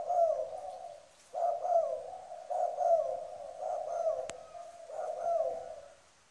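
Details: A decoy spotted dove (cu gáy) from Trà Vinh, Vietnam, giving deep, soft cooing phrases, repeated roughly once a second in a steady, rolling rhythm; a faint thin whistle rides above.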